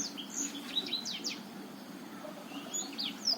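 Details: Botswana black-throated canary, recorded to encourage a silent male to sing, giving scattered high sweet chirps and short slurred whistles separated by a brief pause, with a steady low hum behind.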